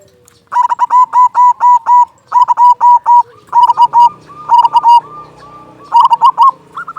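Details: Local zebra dove, a loud-voiced lure bird used to prompt other zebra doves to sing and raise their breeding drive; rapid series of short, clipped coos repeated in quick bursts, with softer rolling notes between phrases.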